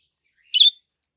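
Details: A single brief, harsh, high chirp from a pair of healthy adult green peach-faced lovebirds, one with a red face and one with a yellowish-white face.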